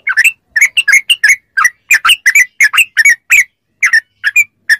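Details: Captive-training recording of a yellow-vented bulbul: paired and tripled sharp, slurred chirps in quick clusters, loud and clear, with short gaps between groups.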